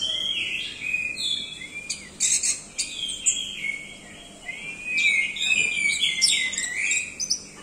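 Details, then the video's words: Orange-headed thrush singing in the 'doyong teler' way, with buzzy high warbling phrases broken by sharp sweeping notes and sliding whistles, delivered in uneven bursts. "Anis merah doyong teler"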